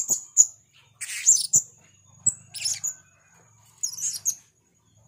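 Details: Blue-crowned hanging parrot chattering eagerly: rapid high-pitched sibilant tsit notes and chirps in clusters, roughly fifty a minute with irregular timing, plus faint low knocks in the background.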